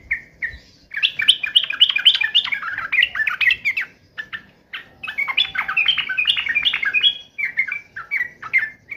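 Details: Sooty-headed bulbul in agitated fighting mode, singing fast bubbly chattering phrases of rising and falling notes, two long bursts separated by a brief pause, with a few short single notes at the start and end.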